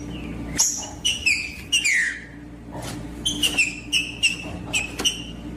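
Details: Green-winged saltator singing in the forest, a wild bird not warmed up: short clear whistled notes, several falling in pitch, spaced roughly half a second apart, each opening with a sharp click, over a quiet steady hum.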